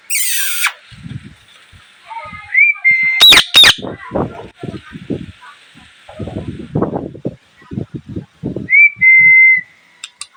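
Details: Parrot giving a loud harsh squawk, then sharp clicks and a few clear rising-then-level whistled notes, mixed with low mumbled chatter and soft rustling.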